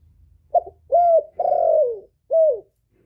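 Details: Decoy male spotted dove calling to draw wild doves to the trapping spot. One full mellow phrase: a short opening note, a level coo, a drawn-out falling coo, and a brief falling final note. The background is quiet.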